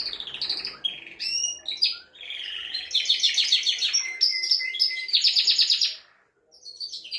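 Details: A male canary sings to rouse a female for breeding and teach chicks. The phrase is a rich, varied flow of rapid trills, sweeping whistles and a long steady note, with fast pulsed rolls and a brief pause near the end.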